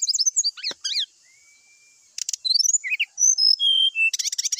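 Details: Brown-chested jungle flycatcher giving its fighting sound in the morning, used to provoke rival birds into singing: high, sharp whistled notes and rapid chirps, some sliding down, in dense bursts with a short quiet gap, plus a faint steady hiss.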